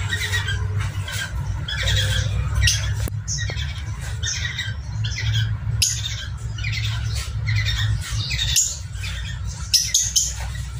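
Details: Falk parrotlets recorded around mating, with sounds offered to stir breeding readiness: a busy stream of rapid, harsh, grating squawks and chatters repeating throughout, over a constant low droning hum.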